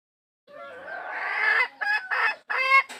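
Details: Hen calling for a rooster: a drawn-out, rising harmonic cackle that swells in loudness, then breaks into three short, strident bursts after a brief silence.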